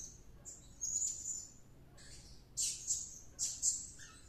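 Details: Serindit, a blue-crowned hanging parrot, singing excitedly after a luring outing: a long high piercing whistle, a gap, then three clipped shrill squeaks close together.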